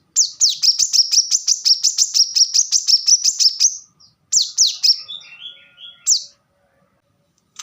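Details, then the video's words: Plain-throated sunbird (kolibri kelapa) in full song: a fast run of sharp downslurred high notes for over three seconds, a short pause, then a few more notes mixed with lower twittering warbles before falling quiet. "kolibri kelapa | manggar | wiceh | korlap gacor tembakan rapat"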